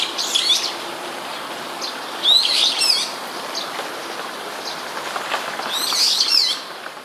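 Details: Brown-eared bulbul calling nearby in Sumida, Tokyo, Japan, recorded on 21 May 2017. Shrill, squealing notes with sharp upward and downward sweeps come in three separated bursts, with faint chirps between them over a constant hiss.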